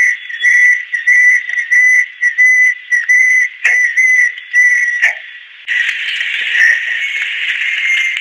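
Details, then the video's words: Rapid series of short, clear, level whistles from an adult female banded kingfisher, about two per second, giving way to a long, breathy, sustained whistle. "Banded Kingfisher-Song"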